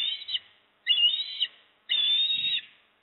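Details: At a Port Lincoln nest on 26 September 2024, with the male bringing a fish and the female feeding, an osprey gives three long, shrill, piping whistles in a row, each close to a second long, ending in sharper accents.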